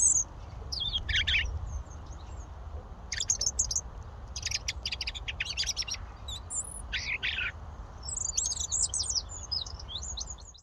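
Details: Wild European robin in the UK: brief high, thin trills and twittering phrases separated by pauses, over a steady background hiss and low rumble.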